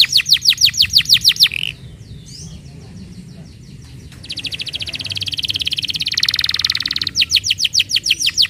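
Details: Canary song for coaxing other canaries to sing: a rapid series of repeated high sweeping notes, a short gap, then a long dense buzzing trill that swells louder before another burst of fast repeated notes; faint low background noise.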